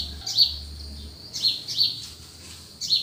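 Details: Countryside birds calling in the cool early morning, sharp high chirps in irregular pairs and singles, separated by short pauses, with a low hum underneath.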